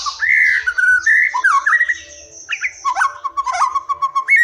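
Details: Wild white-rumped shama song played as a lure for mute or young shamas; clear fluty whistles sliding up and down, then rapid clipped notes and short rising phrases.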